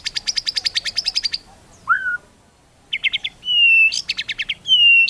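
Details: White-rumped shama song used to provoke other shamas into singing: a rapid series of about a dozen high clicking notes, then a slurred downward whistle, then buzzy note bursts and long clear whistles, with pauses between phrases.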